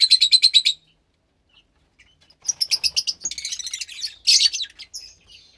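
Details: Fischer's lovebird chick about 15 days old, kept in captivity, offspring of a lutino and pastel blue pair, giving rapid high buzzy chirps in a fast pulsed burst, then after a pause longer bursts of harsh chattering chirps.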